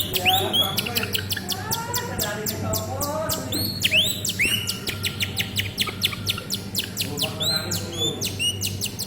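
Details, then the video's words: Canary in full, lively song: fast rolling trills and rapid repeated chips, interspersed with rising whistled slides, delivered continuously and loudly, with a low steady hum beneath. "Suara kenari gacor"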